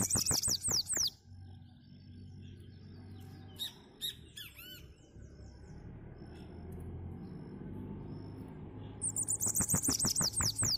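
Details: A Bananaquit singing a lot gives two bursts of thin, high, rapid wheezy notes that tumble downward, separated by several seconds of quiet with faint chirps and low background hum.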